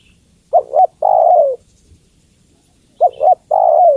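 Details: Female spotted dove calling the male: low soft coos, two short hooted notes followed by a longer falling coo, the phrase given twice about two and a half seconds apart; quiet low rumble beneath.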